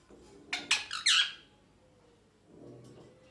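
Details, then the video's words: Pet rose-ringed parakeet uttering a short cluster of four grating, harsh squawks, the last one longest and loudest, then a quiet stretch with soft low background sounds. "Parrot Chirping Sounds"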